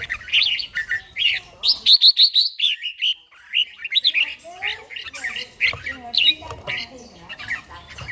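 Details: An older red-whiskered bulbul with a wild-type voice sings in the morning during song training: quick runs of clear whistled notes, then a fast trilled stretch, followed by scattered chirpy phrases.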